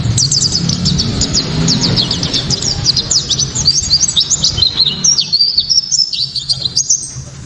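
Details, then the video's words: Piercing, clear 'tembakan' song of a white-eye, played to spur other white-eyes into singing. A dense rush of very high, quick chirps that changes to spaced, pulsing notes toward the end, over constant low-pitched background noise. "Pleci kaca mata‼️tembakan‼️"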